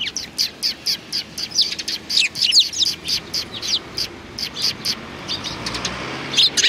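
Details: Several sparrows chirping together, dated 29 May 2019: a busy run of short, bright chirps in quick, uneven succession, some doubled, with brief pauses between bursts.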